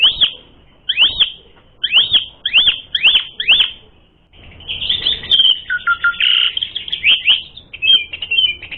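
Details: Asian pied starling singing nonstop with a full, rich repertoire, recorded as a lure to provoke starlings into fighting: six sharp down-swept whistles about half a second apart, then a dense burst of warbled chatter and buzzy notes.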